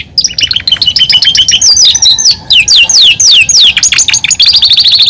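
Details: Caged male Belgian canary in full song: rapid strings of high chirps and descending whistled slurs, repeated in quick trills of several notes each, bright and continuous with only brief pauses.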